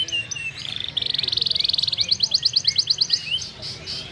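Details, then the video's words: Atlantic canary in lively 'gacor' song with elaborate 'cengkok mewah' variations: soft scattered notes, then a dense buzzing roll for about a second, followed by a crisp series of high pulsed notes, about ten per second. "Suara Burung Kenari Gacor cengkok mewah"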